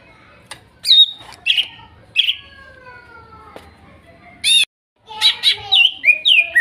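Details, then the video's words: Greater green leafbird from the Kuningan forest, spotted and masked birds, therapy song for a bird gone silent: scattered sharp whistled notes and chirps, a brief gap, then a quick burst of varied whistles and slurred phrases. "TERAPI CUCAK IJO MACET BUNYI BAHAN HUTAN KUNINGAN TROTOL DAN NOPENG"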